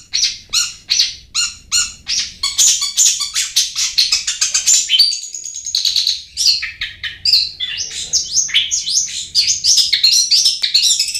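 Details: Long-tailed shrike lure song meant to prompt lazy birds to sing: quick runs of harsh, chattering high notes mixed with varied squeaky and whistled phrases, continuous and fast for the whole stretch.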